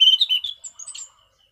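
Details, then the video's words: Orange-sided thrush in relaxed clear 'ngeplong' song: a quick run of bright whistled notes, followed by a few thin high squeaky notes and faint lower twitters. "Burung Anis Cendana Ngeplong Santai"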